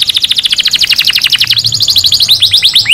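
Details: Canary song aimed at stimulating males to sing and breed and at teaching chicks: a rapid, rhythmic trill of short repeated notes, shifting into faster chirps and ending in rising whistled notes.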